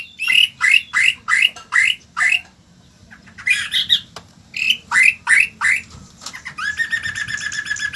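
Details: Loud rasping notes from a white-rumped shama repeated about three per second in two runs, separated by a brief gap, ending in a fast, even, buzzy trill.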